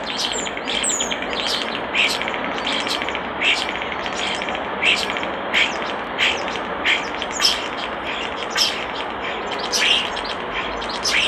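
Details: Near a nest box a common starling gives clicking, buzzy notes repeated roughly every second, with softer chatter between.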